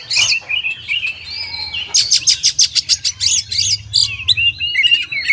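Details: Kacer (oriental magpie-robin) masteran song: a high squeaky whistle and buzzy notes, then a rapid regular burst of sharp chips, ending in warbling whistles.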